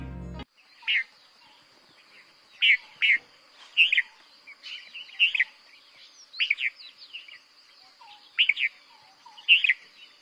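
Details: Red-vented Bulbul (Pycnonotus cafer) sings in Bengal, giving short, bubbly, cheerful, mid-pitched three-note "tiu tu tul" phrases about once a second; a faint steady high hiss runs underneath.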